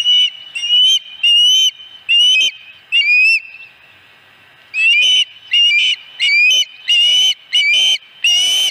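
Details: Osprey at its nest at Dunrovin Ranch, 26 August 2020: a series of loud, piercing whistled calls, each slightly rising, given in two bursts separated by a pause of over a second.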